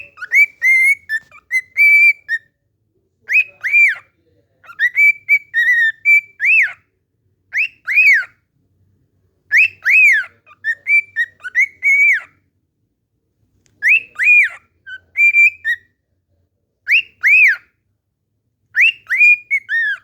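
A cockatiel whistles the same short tune over and over, with clear rising and falling notes.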